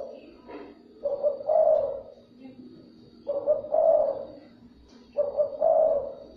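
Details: Spotted dove calling to stimulate and lure other doves: three mellow, low cooing phrases, each a short lead note followed by a longer rolling coo, spaced about two seconds apart, over a faint steady background hum.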